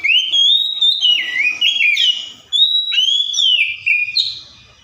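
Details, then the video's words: An Oriental magpie-robin imitating other species pours out continuous rich whistles that swoop up and down, with quick slurred notes and a brief break midway, then a final high rising note. "COPSYCHUS SAULARIS SOUNDS LIKE THE WILD MAKES OTHER BIRDS SOUND!"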